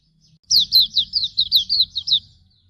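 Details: Hume's white-eye song used as a training master for songbirds: a quick run of about nine high, sweet down-slurred whistled notes over under two seconds, with faint low background rumble.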